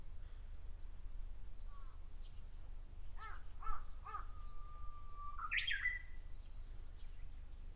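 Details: Japanese bush warbler singing in a tree in Miyakonojo, Miyazaki Prefecture, Japan: a long, steady whistled note that ends in a quick, rising, warbled flourish. A run of hoarse crow caws comes just before, over a low background rumble.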